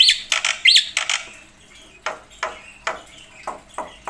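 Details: Black-winged myna in lively song full of mimicked phrases, used to tutor other birds; a few high twisting notes, then spaced harsh bursts about every half second.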